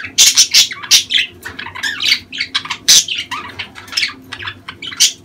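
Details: Mating-season budgerigar chatter, meant to prompt hens to breed and lay. Sharp, high chirps and squawks pile into a rapid, continuous warble with brief loud peaks throughout.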